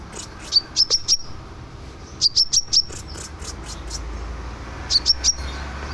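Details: Scarlet minivet singing as a master track for training songbirds: three short bursts of three or four high, sharp chirped whistles, separated by pauses, over a steady low hum and faint background hiss.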